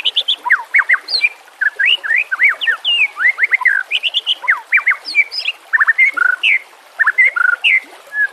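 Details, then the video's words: White-rumped shama singing in a tutor recording for training captive birds: a lively, varied stream of sharp whistled notes, quick up- and down-slurs and short trills, delivered in rapid clusters with brief gaps. "Murai Batu CULUN DAN MBAGONG dijamin langsung nyamber dengan masteran burung terbaik"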